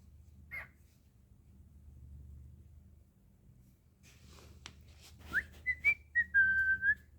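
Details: Pet cockatiel indoors, playful, giving a short run of clear whistled notes late in the clip, a rising slide followed by level, falling tones, after near silence and a few faint clicks.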